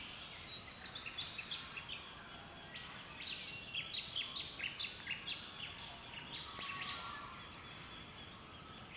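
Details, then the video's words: Wild birds singing in the early morning on Australia's east coast, recorded on a camera: many overlapping high chirps and short whistled phrases, with a run of rapid repeated notes in the middle, over a soft background hiss. "Sounds of Birds early morning in Australia"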